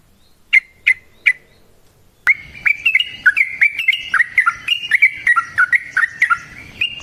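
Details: Yellow-vented bulbul used as a lure for singing: three separate sharp chirps, then a sudden long run of bubbly warbled notes rising and falling in quick succession.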